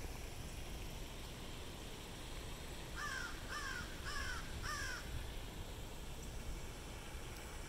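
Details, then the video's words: Crows calling beside a fountain on a university campus at Hilton Head Island, South Carolina: a series of four harsh caws about every half second, set against constant splashing water. "Crows Calling by Fountain"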